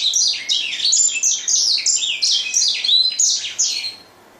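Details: Grey singing finch singing a fast, varied run of high twittering notes, chirps and short slurred whistles in quick succession, with a few sharp rising and falling sweeps, fading out toward the end.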